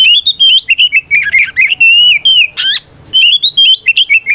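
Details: Oriental magpie-robin in full ngeplong fighting song meant to challenge opponents. A continuous chain of bright warbled whistles is broken near the middle by a harsh, buzzy rasp before the whistling resumes.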